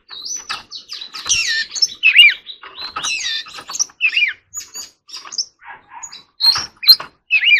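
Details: Oriental magpie-robin practising its forest-voice song: a sustained high whistle opens a long, varied string of warbles, twisting slurs and sharp ticks, delivered in uneven bursts with brief gaps.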